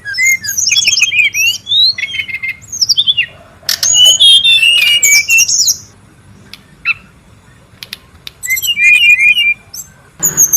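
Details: Brown-chested jungle flycatcher heard in the wild in noisy mood: bursts of high whistled and slurred notes separated by quiet gaps, a dense twittering run in the middle, and scattered short chirps.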